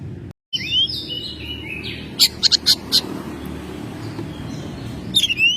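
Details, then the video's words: A domestic Oriental magpie-robin (kacer) singing in full voice in May, loud varied phrases of rising whistles, a quick run of four sharp high chips, then more whistled notes, over a steady low background hum. "Burung Kacer gacor"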